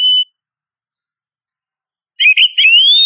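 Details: Female Oriental magpie-robin calling a male: one short high whistle, a pause, then a burst of sharp clipped notes ending in a long rising whistle; clean background.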